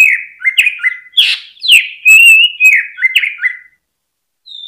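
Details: Greater green leafbird, a caged bird used as a lure to stimulate other birds to sing, giving loud whistled phrases of stepped downslurred notes near two to three kilohertz in quick succession with sharp clicks, ending in a pause.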